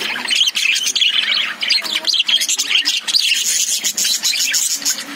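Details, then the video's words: A cage of lovebirds, with budgies also present, makes continuous, dense, high-pitched twittering, scratchy chirps packed closely together as many birds call at once. "Love birds sound"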